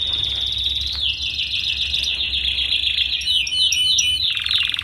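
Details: Canary song used for tutoring young canaries to sing quickly: a long continuous high trill with fast rolling notes, shifting to a rapid chattering series and then a buzzy final roll.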